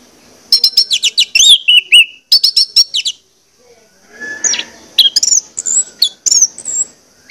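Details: Lure song of an orange-headed thrush meant to make birds sing: a rapid series of high, sharp whistled notes, then sweeping slurred whistles over faint background rustling.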